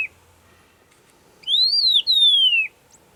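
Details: Song of an Agulhas long-billed lark from the Overberg: two loud, pure whistled notes after a silence. The first arches up and falls, the second slides gradually downward. Faint low background hum.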